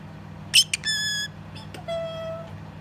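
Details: A pet male parrotlet gives a sharp squeak, then several thin, buzzy phrases of tiny mimicked words such as "peekaboo", "excuse me", "good boy" and "step up", plus a fake cough, over a low room hum.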